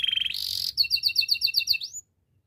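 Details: Belgian canary training song: a fast rolling trill, then a string of paired sharp chirps with a final rising whistle before the song stops.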